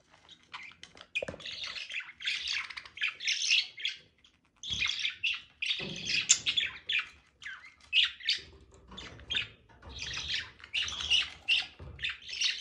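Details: Budgerigars during mating give dense, continuous warbling chatter of buzzy squawks and quick chirps, high-pitched bursts packed closely with brief pauses near four and six seconds.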